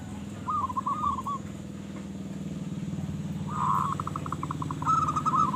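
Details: Local zebra dove singing strongly beneath a loud low engine drone: a short rolling coo phrase, then a stuttering run of clipped pulsed notes leading into a brighter warbled ending.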